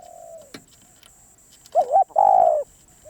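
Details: A wild Spotted dove, described as persistent, ends a drawn coo, then gives one loud phrase: a wavering double coo and a long falling coo. A click and a steady faint high whine accompany it.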